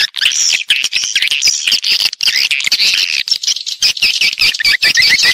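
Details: High, busy swiftlet chatter from a lure sound for attracting swiftlets to nest: a steady mass of thin twittering notes interspersed with quick clicks, ending with short repeated chirps.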